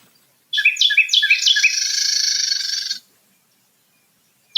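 Carolina Wren duet: rapid rolling teakettle phrases from the male, about three per second, overlaid by a dry buzzy chatter from the female.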